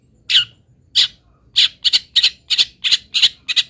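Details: Long-tailed shrike (local cendet) from Pati, Indonesia, singing fill-in material. Loud, grating, buzzy notes start spaced out, then quicken into a rapid irregular chatter of doubled rasps.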